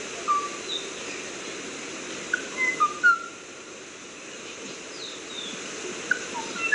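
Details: Kauai ʻōʻō giving scattered, flute-like whistled notes, with a tight cluster of three or four around the middle and a few more near the end, against constant hiss.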